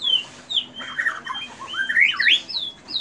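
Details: Captive white-rumped shama song filled with imitated cililin and canary phrases: varied clear whistled notes, some rising steeply and some falling, delivered in quick irregular bursts with short pauses between them.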